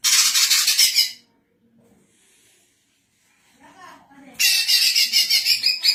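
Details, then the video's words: Female greater green leafbird singing in captivity in Indonesia, kept for training other birds and as a lure; two bursts of dense, high twittering chatter separated by a quiet gap with faint low murmurs. "BURUNG CUCAK IJO BETINA GACOR COCOK UNTUK MASTERAN DAN PIKATAN"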